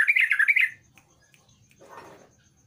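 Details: Sooty-headed bulbul singing lively, used to lure a quiet bird into singing: a brief burst of bubbly, warbled notes lasting under a second, then near silence with a soft rustle.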